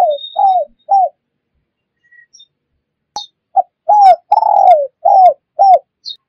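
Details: Spotted dove lure call for catching wild birds: a few short coos, a near-silent pause with a faint chirp, then a clicked start and a bright run of hooked coos around one long sliding note.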